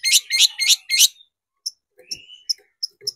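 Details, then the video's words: Long-tailed shrike lure recording used to make shrikes excited and sing: four rapid harsh, rasping notes in quick succession, then a pause, a thin rising whistle and scattered faint ticking chips. "PANCINGAN CENDET BIAR EMOSI DAN GACOR"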